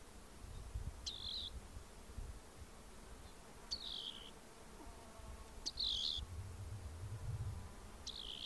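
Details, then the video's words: Rock wren singing brief buzzy trilled phrases, some with a sharp rising onset then a slight downward slur, spaced about two seconds apart, with low-pitched rumble underneath. "Rock Wren Bird Song"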